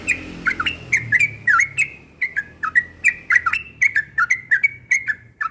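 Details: Persistent morning ropel singing by a yellow-vented bulbul, a continuous chain of liquid, warbled notes with quick pitch dips, over a faint low rumble.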